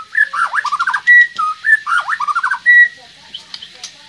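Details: White-rumped shama (murai batu) singing in an online songbird contest from Magelang: twice-repeated phrases of rapid descending warbled notes, each ending in a long, pure, steady whistle.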